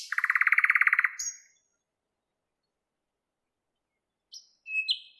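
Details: Thrush nightingale (Luscinia luscinia) singing in a Moscow park on 11 May 2016 at 08:15, a fast rattling trill of about twenty clicks in a second, then quiet before a few high whistled notes.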